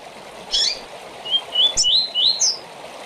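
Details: Rusty-collared seedeater short song for tournament practice: a high buzzy note, then four or five rising whistled notes that step upward and end in a sharp high flourish, over running-water hiss.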